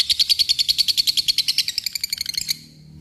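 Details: Lovebird in a ngekek trill, calling out an opponent to provoke it into singing: a quick run of sharp, high, evenly spaced ticking notes lasting about two and a half seconds before stopping abruptly.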